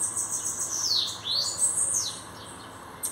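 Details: Bananaquit, said to have just arrived and already showing its qualities, giving a few very high, thin sweeping notes, first falling then rising, before trailing off into quiet hiss.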